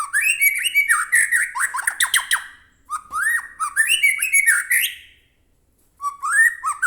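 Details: Loud White-rumped shama in full song, played to provoke shamas into singing back: long rushing runs of varied whistles, swoops and harsh chattering notes, a short silence, then a fresh rising phrase.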